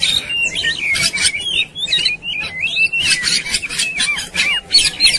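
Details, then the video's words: Aroused Oriental magpie-robin showing fighting behaviour, with tail spread: looping whistled slurs that sweep up and down, interrupted by loud harsh rasping blasts repeated several times a second. "KOMBINASI VARIASI KACER NGAMUK | KACER NGOTOT | KACER NGOBRA | KACER BUKA EKOR | KACER TARUNG"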